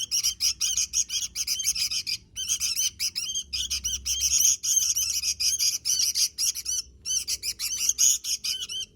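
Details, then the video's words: Lively, gacor-style singing from a sooty-headed bulbul: rapid trains of sharp, ringing chirps in long runs broken by brief silences near two and seven seconds, over a soft low hum. "Suara Burung Kutilang Gacor"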